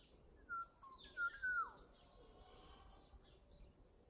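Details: An unidentified bird singing in early summer, often heard around a house yard and neighbourhood alleys. A few clear whistled notes, some held level and some sliding downward, come in a short phrase. Faint higher notes sound in the quiet background.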